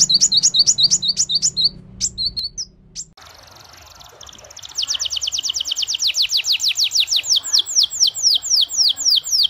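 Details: Singing canary meant to prompt other canaries to sing: quick high chirps, a brief pause, then a long rolling trill of fast descending notes repeated about twice a second.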